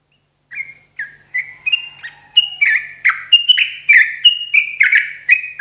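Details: Sooty-headed bulbul morning song for cage-bird therapy: a lively string of quick whistled and slurred notes, starting spaced out and then packing closer together, steady in pitch with bubbly, slightly buzzy accents.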